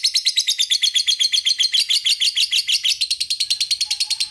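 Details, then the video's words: Lovebird chattering used as a lure to make another lovebird sing; a continuous rapid run of high, shrill, harsh chirps repeated several times a second with a slight rise and fall in pitch, a faint low whistle near the end. "Pancingan Supaya Suara Love Bird Anda Ngegkek"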